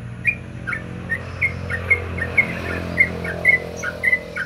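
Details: A Yellow-vented bulbul (trucukan) sings in the morning, as a lure recording, giving short, bubbly whistled notes about twice a second against a low, steady hum of traffic.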